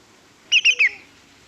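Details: Greater yellowlegs, played back as a recording: three quick, clear, whistled notes, each sliding slightly downward, given in rapid succession over about half a second, the three-note pattern that separates it from the two-noted lesser yellowlegs.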